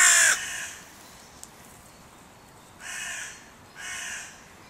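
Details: A loud, harsh caw opens, followed after a pause by two softer, drawn-out calls about a second apart; crows near a music pavilion in König-Albert-Park, where three breeding pairs dispute their borders.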